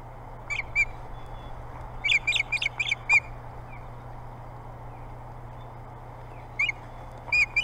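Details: Ospreys fighting over the boathouse nest on Hog Island, Maine, a site several birds want this year. Loud clusters of quick, bright, clipped chirps come in two bursts, a pause, then another short burst, over a faint hum.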